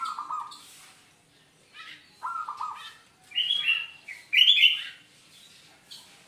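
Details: Zebra dove singing as a trapping lure for others of its kind, giving brief falling cooing phrases near the start, followed by louder high chirping bursts from other birds.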